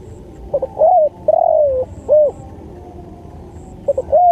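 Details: Spotted dove singing in a masteran training recording: soft stuttered notes lead into a long, smooth, slightly falling coo, then a rounded hooked coo. The phrase starts again at the end, over faint high chirps.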